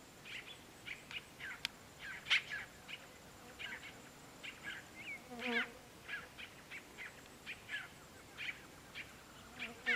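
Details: Maria Preta, as the bird is known in the Brazilian Sertão, giving short sharp chirps roughly every half second, some buzzy, with one longer harmonic note midway; a faint steady hiss runs behind.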